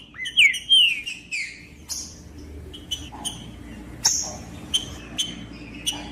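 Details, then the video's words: Green-winged saltator (trinca-ferro) singing, played to warm up and motivate cold birds: a few loud slurred whistles falling from high to mid pitch in the first second and a half, then sparse quieter ticks and short notes. "ESQUENTAR TRINCA FERRO FRIO COM TRINCA FERRO CANTANDO"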